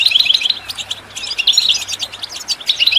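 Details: Goldfinch song phrase offered for training birds, made of quick liquid twitters and chirps packed tightly together, high and tinkling, with a steady low hum beneath.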